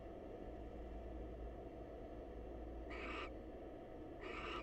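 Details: Greeting call of a wild female barn owl visiting her male counterpart at a nest box: two short harsh screeches about a second and a half apart over low background hum.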